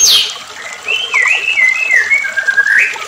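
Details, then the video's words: White-rumped shama (murai batu) singing on an agitated lure recording used to provoke other shamas into full song: a high downslurred whistle, then a chain of clear sliding whistles wavering between mid and high pitch. "PANCINGAN MURAI BATU EMOSI"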